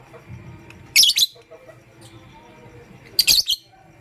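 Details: Pastel gray and green lovebirds in the morning: two brisk clusters of shrill, high chirps, each a rapid double or triple note, with quiet background hum between.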